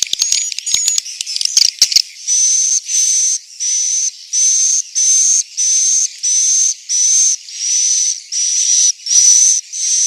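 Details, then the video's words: Swiftlet roosting call recorded in Central Sulawesi. It opens with a rapid clicking flutter, then settles into evenly spaced hissing bursts with a thin high whistled tone, about one and a half per second. "Suara asli, inap walet"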